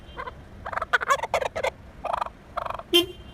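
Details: Wild turkey squawking while pecking at and chasing a car: several quick rattling bursts of throaty gobbling notes in uneven series, then a short car horn toot at the end.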